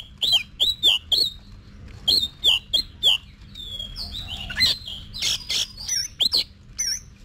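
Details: Oriental magpie-robin, kept for song contests and being voice-trained: a series of repeated, downslurred whistled notes in quick groups of three, then more varied chattering phrases, over a low steady hum.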